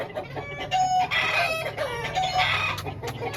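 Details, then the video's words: Overlapping crows from home-bred Aseel roosters, long harmonic calls layered over constant low background rumble. "Home Breed Rooster Aseel Birds Showing || Aseel Birds Sound Effect"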